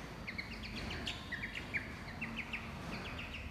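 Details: Several pet chicks peep as their owner calls them: quick, high, slightly falling chirps in irregular bursts over faint background noise.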